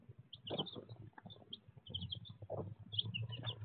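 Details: Baby chicks filmed raw by a chicken cam: clusters of brief high chirps repeated over a few seconds, mixed with soft low clucking and rustling noises.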